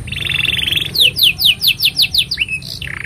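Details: Canary in full song, used as a master recording for tutoring young canaries: a fast buzzy trill around the start, then a series of about eight sharp descending whistled sweeps, ending in rolling notes.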